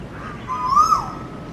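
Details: Asian koel (Eudynamys scolopaceus) song in Vizag: a single clear, mellow whistled note that swells and rises slightly before fading, over faint hiss.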